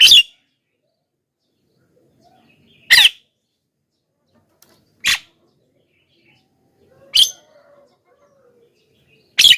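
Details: Javan myna call for luring wild birds: five harsh, scratchy notes at uneven intervals of about two seconds, with a faint whistle-like sound near the end.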